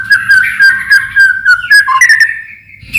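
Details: Lure song of a white-rumped shama, used to provoke other shamas into song: fast series of short, bright whistled notes on one pitch, ending in a longer slurred phrase.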